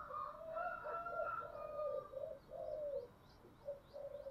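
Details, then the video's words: Spotted dove singing in the song style locally called giọng thổ: a run of low, hollow coos, some rising and drawn out, over a steady background hiss, with faint high chirps from small birds. "cu gáy giọng thổ"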